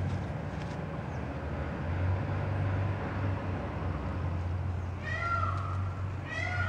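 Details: Indian peafowl, a peacock in Beacon Hill Park, Victoria, British Columbia, giving two drawn-out, cat-like meowing calls with a falling tone near the end, over steady low traffic rumble.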